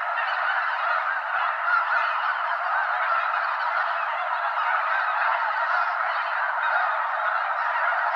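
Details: Over 200 Snow Geese circling Limestone Bay at Wheeler National Wildlife Refuge, Alabama, before landing in a long floating line; continuous massed honking, many voices blending into one dense din.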